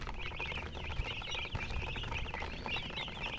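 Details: Baby chicks chirping steadily, overlapping high peeps forming a constant chatter, with a few soft low knocks in the background.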